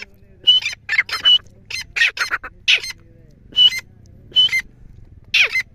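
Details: Grey francolin giving harsh, squawking notes in short groups, with gaps of about half a second to a second between bursts and a low background rumble.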